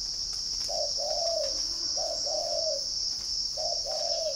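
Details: Spotted dove kept in a bird garden in Ba Vì district, Hanoi, northern Vietnam, giving three soft, low, two-part coos, each a short note followed by a longer falling one, over a steady high shrill of crickets.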